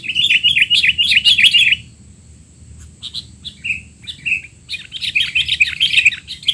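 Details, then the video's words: Sooty-headed bulbul giving noisy 'teler' sounds, used to tutor young bulbuls: a rapid, wavering stream of chattering notes for almost two seconds, then a pause, then scattered slurred chirps building into a dense run. "burung kutilang teler!! suara ribut paling cocok untuk kutilang bahan"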